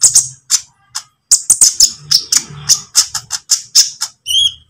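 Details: Lovebird, green type, singing trotol-style as bait to train other birds: dense, rapid, high-pitched chirps about three per second, ending in a brief rising whistled note; faint low rumble between notes.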